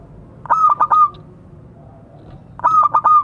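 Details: Local zebra dove calling to its companions, a frequent caller used as a lure: two cooing phrases, each a quick stutter of short pulsed notes ending in a clear, held mid-pitched coo, about two seconds apart, over quiet background.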